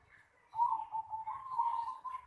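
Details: Continuous low, vibrating coo from a zebra dove in a house yard, a steady trilled tone lasting nearly two seconds with slight wavering.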